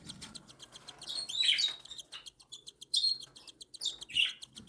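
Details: Cockatiel chicks, one newly hatched and two a week old, beg while being fed by their mother: quick pulsed rasping ticks swelling into three louder buzzy squeals.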